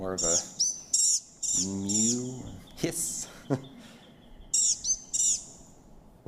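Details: Blue-gray Gnatcatcher, a tiny long-tailed backyard bird, giving thin, high, nasal mewing calls rather than song, a quick burst of several and then a few more near the end, with a man talking in between.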